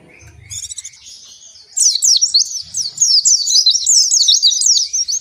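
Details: Captive-training ngalas song of an oriental white-eye: soft low rustling at first, then a loud, rapid chain of thin, high chattering whistles that continues to the end.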